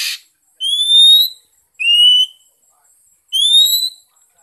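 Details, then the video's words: Oriental magpie-robin singing as a lure to stimulate other birds: three clean, slightly rising whistled notes, each about half a second long and spaced about a second apart, in an otherwise quiet setting. "Kích chim chích chòe than hót , tiếng chỏ mồi hay nhất Việt Nam"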